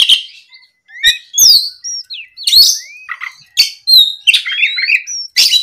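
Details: An Oriental magpie-robin answering a rival sings mixed harsh chatter and clear rising whistles, with scratchy clustered notes and sharp clicks in quick irregular phrases.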